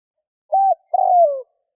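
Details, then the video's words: Spotted dove cooing to draw in wild doves: a short level coo followed by a longer, slowly falling coo, low and mellow, with no other sounds. "Tiếng chim cu gáy kích bổi"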